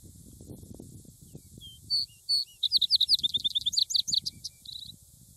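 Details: Vesper sparrow singing: two low slurred introductory whistles, then a fast, bright series of rising and falling notes that ends in a short dry trill; faint low rumble of wind or distant noise underneath.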